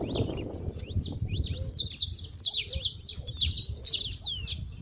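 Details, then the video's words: Saffron finch at a feeder, dense quick chirps and short downslurred notes, high-pitched and overlapping in a steady stream, with a faint low rumble underneath. "canário da terra fazendo barulho na seva"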